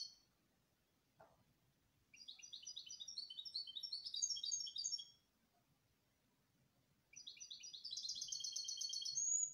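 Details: A Belgian canary sings two bursts of rapid, rolling trills, each lasting about three seconds, high and bright with fast repeated notes, with faint room noise underneath.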